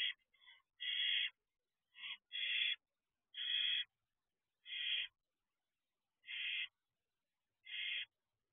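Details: Barn owl in a nest box, about two months after hatching, 12:26 am on 6/2/23: a steady series of eight or nine rasping, hissy screech bursts, some in quick pairs, the rest about a second apart.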